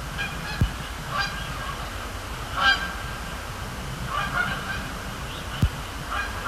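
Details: Canada geese at night on Sapsucker Woods Pond, Cornell Lab of Ornithology, flying over and landing; scattered honks, a few more distant-sounding, with clicks and a steady low drone between them.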